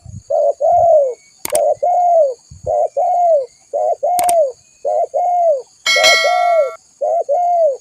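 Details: Spotted dove, a calling bird used as a lure, giving a series of low cooing notes around a few hundred cycles, each note a short rise then a longer falling coo, in pairs repeated about once a second; brief clicks and a metallic rattle.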